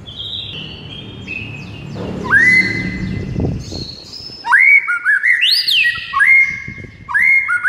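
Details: White-rumped shama, a bird said to go from silent to excited on hearing morning tutor recordings: faint high notes lead into a steady whistle, then loud rich phrases with rising and falling slurs and swooping high sweeps.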